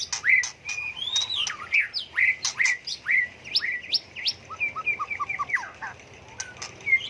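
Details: Many-voiced white-rumped shama song that keeps switching tone, used to incite song battles; clear whistles and upward slurs in quick succession with crisp clicks, ending in softer falling notes and a final whistle.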